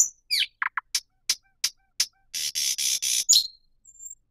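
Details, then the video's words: Thrush nightingale singing a varied phrase: sharp clicks and short descending notes, then a dense run of loud rasping, buzzy chunks ending in a quick whistle, with silent gaps between elements. "صوت جديد للعندليب الشائع [تغريد|نداء] New Sound of Thrush Nightingale [Song|Call]"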